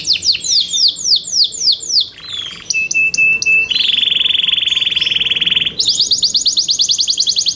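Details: Yorkshire canary kept in captivity singing loud high phrases: falling swept notes repeated rapidly, then a steady trilled tone and a long buzzy roll, ending in fast repeated downward sweeps.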